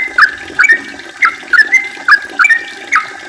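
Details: Yellow-vented bulbul in long continuous song, played to stimulate other bulbuls to sing. Liquid, gurgling two- and three-note whistled phrases repeat roughly every half second over a faint hiss.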